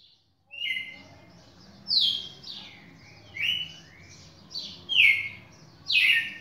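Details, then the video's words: Champion red-cowled cardinal recorded on 11 May 2019, singing loud, clear whistled phrases that slide downward. The phrases repeat roughly every one to one and a half seconds, separated by softer, lower connecting notes, over a quiet background hum. "galo-de-campina campeão"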